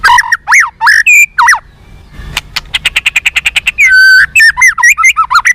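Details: White-rumped shama singing to spur fighting spirit in captive birds: rich looping whistled phrases, a rapid dry ticking series, a long flat whistle, then more tumbling varied notes.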